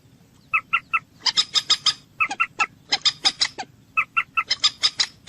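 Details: Common moorhen calling in a rapid clucking series: paired and tripled short notes alternate with harsher broadband clucks, about five per second in bursts, the sequence repeating over several seconds with no other sounds.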